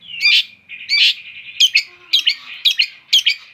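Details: Long-tailed shrike singing: two drawn-out harsh buzzy notes, then a string of sharp clipped double chips roughly every half second, over a faint steady high hiss.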